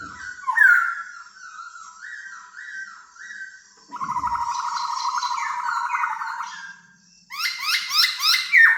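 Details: Decoy laughingthrush released to fly free indoors for the first time: clear whistled phrases rising and falling, then a long buzzy rattling trill, ending with a burst of sharp, rapid chirps.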